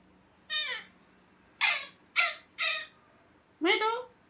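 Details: Pet ringneck parrot repeating five harsh, raspy squawks, each dropping in pitch. One comes, then a pause, then three in quick succession, and a final rising screech.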